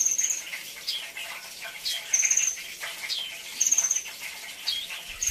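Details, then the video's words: Kolibri ninja, the brown-throated sunbird, sings short shrill trills, very high and rattling, spaced about every one and a half seconds, amid soft squeaky chatter and background hiss. "isian mewah Kolibri ninja"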